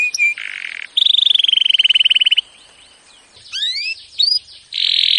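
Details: Canary training song in short tours: a soft chirped note, a brief buzz, then a quick rolling trill. After a pause come a few rising sweeps and a final harsh buzzy burst, with short silences between phrases.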